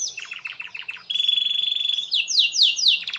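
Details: Canary in nonstop 'gacor' song, aimed at making other canaries sing. Stuttered low notes precede a long, steady pure whistle, then loud swept rolls repeated about three times a second.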